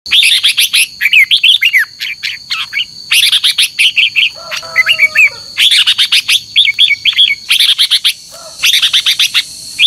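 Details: Red-whiskered bulbuls in morning competitive singing, double-note long-voiced song: bursts of bright warbled, slurred whistles, several phrases overlapping as birds answer each other, with a steady high-pitched whine behind and a low humming interlude mid-way.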